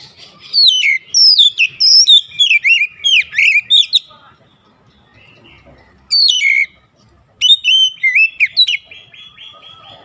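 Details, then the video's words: Oriental magpie-robin in full song, fast sequences of loud slurred whistles dropping in pitch with sharp chips, a pause of about two seconds, then more bursts of rich varied phrases. "KICAUAN MENAIKAN EMOSI KACER"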